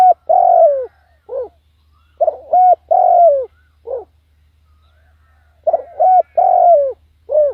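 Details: Spotted dove kept as a decoy, calling to lure wild doves: mellow mid-pitched coos, a short note or two, then a long drawn coo sliding downward and a brief closing coo, the phrase given twice with a quiet gap; faint low hum beneath.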